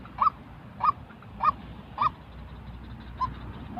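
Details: Real white-breasted waterhen calls, used to train new decoy birds for trapping: five short, hoarse, rising notes about every 0.6 seconds, the last one softer, over low background hum.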